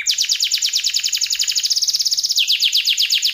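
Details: Canary in vigorous, long-lasting song: an unbroken rapid trill of sharp repeated notes, many per second, changing briefly near the end into fuller descending sweeps.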